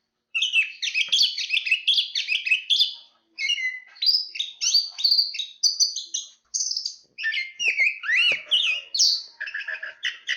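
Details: Anis kembang, the chestnut-capped thrush (Zoothera interpres), in sustained rapid song: dense tumbling twittered phrases of high sweet whistles and chirps, broken by brief pauses, varied and continuous over ten seconds.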